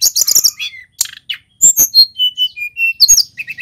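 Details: Local Pacitan male mountain white-eye in full rolling song. A dense burst of high twittering leads into clear level whistles and short downslurred notes, ending in a quick chattering trill.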